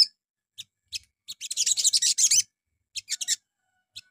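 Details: Morning lure song of the little spiderhunter (sogon), meant to make others call back: scattered sharp high chips building into a raspy, buzzing chatter burst, then a few more isolated chips.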